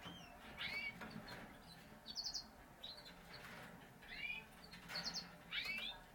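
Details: Parisian Frill canary, a frilled domestic canary breed. Clear, sweeping chirps and a few short, buzzy high notes are spread across the stretch, some paired, with a low background hum.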